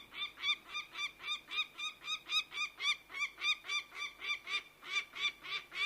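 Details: Steady chattering series from a bird of prey: strident, ringing notes repeated about four times a second without pause, set against a light background hiss.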